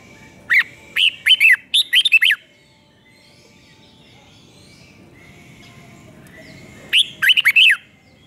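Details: Red-whiskered bulbul from Thailand, doubled five-syllable song used so young birds copy it: a lively phrase of several quick slurred whistles, a long quiet pause, then the phrase repeated more briefly.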